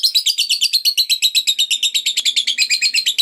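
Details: Lovebird in long ngekek chatter, said to set other lovebirds singing: a fast, steady run of harsh, buzzy chattering notes, roughly eight per second, continuing without a break.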